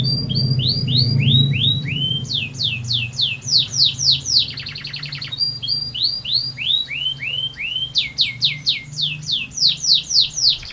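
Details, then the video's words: Canary singing a long rolling song: fast series of high, sweeping whistled notes in rapid repeated phrases, broken by a buzzy trill midway. The song runs without a break over a low background hum. "Burung Kenari Gacor Ngerol Panjang"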